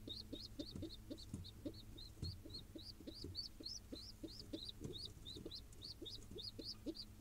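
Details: Wild pigeon nestling in Israel being fed by its father, giving rapid repeated high, thin, slightly rising peeps several times a second, with soft low thumps and a steady low hum beneath.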